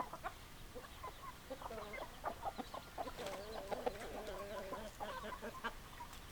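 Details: A rooster crows a long, wavering call over a few seconds while hens cluck in short bursts around it.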